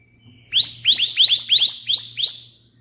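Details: Bar-winged prinia delivering 'tembakan'-style burst song as tutor material: seven quick upward-sweeping chips packed into about two seconds over a steady low hum.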